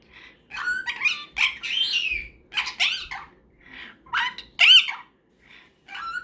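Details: Before bedtime indoors, a pet cockatiel and a superb parrot exchange scattered squawky chirps and sharp upslurred whistles in separate bursts, with gaps of near silence and a woman softly saying good night.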